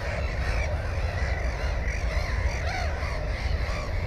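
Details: Nesting Black-headed gull with one egg and one chick: scratchy, arching calls repeated through the stretch, partly blended with other gull voices, over heavy low wind noise.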